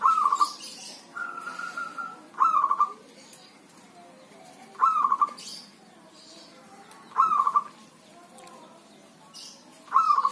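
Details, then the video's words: Healthy zebra dove kept by an owner, singing in rain or drizzle: a long drawn whistle-like coo, then five short bursts of rapid rolling coos spaced about two seconds apart, light background hiss. "Jika perkutut sehat maka waktu bunyinya tak pandang cuaca walau hujan atau gerimis"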